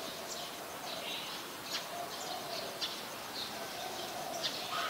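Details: Brown-throated sunbirds, a male and a female, in Ubon Ratchathani, Thailand, on 3 January 2021, give thin, high chips and twitters scattered over five seconds, with a steady hiss of background noise and a lower whistle near the end.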